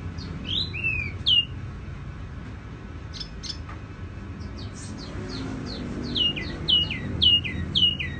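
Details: Tiểu mi songbird song: a few scattered slurred notes, then a quieter stretch, then a steady series of sharp falling whistles about twice a second toward the end.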